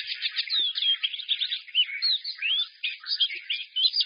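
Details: Bright, busy twittering song of a caged white-eye, a steady rush of quick high slurred notes and chirps without pause.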